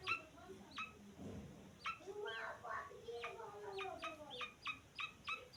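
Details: Young grey francolin peeps, a few short sharp notes at the start, then a patch of softer mixed sounds, ending in a quick series of about seven bright, clipped peeps.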